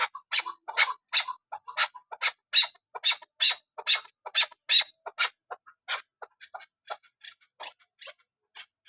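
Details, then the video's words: Hunting female chukar partridge of the Kabuli chakor type uttering sharp, high, clicking clucks about once every half second, loud at first and then thinning into quieter, irregular notes. "Shikari Chakorsound Keklik sesi Kabuli chakor Femalechakor awazشکاری نرمادی چکورآواز"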